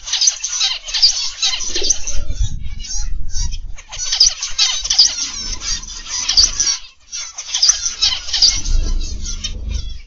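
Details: Dense twittering of many zebra finches in a morning aviary: sharp, high nasal chirps in long runs with short pauses, over a low rumbling background.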